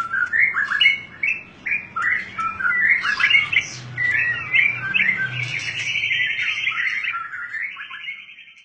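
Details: White-rumped shama, a fighter bird known for varied fighting styles, sings choppy whistles and chatters that run into a sustained buzzy trill near the end, with low humming noise in the background.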